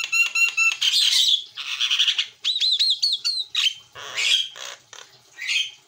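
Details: White-eyed Javan myna in full gacor song: fast harmonic stutters, dense rasping chatter, a run of arched whistled slurs, then harsh squawks and wheezy notes with barely a pause.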